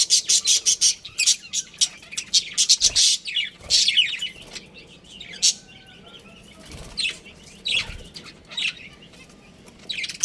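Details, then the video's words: Budgerigar colony with a breeding pair: rapid bursts of wing flapping and sharp chirps at the start, then scattered warbling chirps and twitters. "Adorable Budgies Chirping Sounds"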